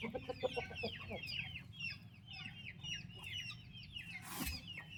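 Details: Baby turkey chicks with their mother peep incessantly in high, falling notes, with a quick run of low clucks at the start and a short noisy rustle near the end.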